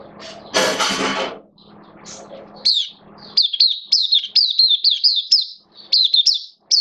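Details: Pet oriental white-eye in open singing, September 2022, form slightly off: a loud rustling burst and low hum at first, then bright high warbling phrases, quick up-and-down slurs repeated in clustered bursts.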